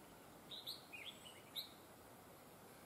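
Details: Red-whiskered bulbul heard while being trapped with a decoy bird, its voice praised as very fine with linked double phrases; a quick run of high, brief chirped notes, then quiet hiss and a sudden knock at the end.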